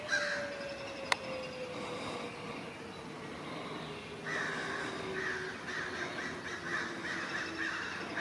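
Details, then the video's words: Forest crows harass a great horned owl that has come to rob a nest; after a quieter start, a burst of harsh caws comes in quick succession, with a single sharp click early on. "A great horned owl mobbed by crows"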